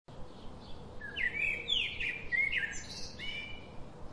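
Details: Macaw calling: a run of short, harsh, slurred notes, some rising and some falling, given in a quick irregular series over about three seconds, with a steady low background hiss.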